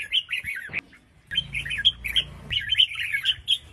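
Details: Female red-whiskered bulbul calling to prompt males to sing. Short, chattering, whistled phrases are followed by a longer string of sharp, ringing chirps.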